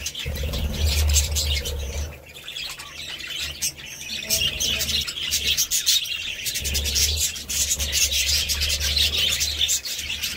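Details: Several budgerigars twitter rapidly and unevenly, with bright chirps and rasping warbles; a deep hum sounds at the start and again from the middle onward.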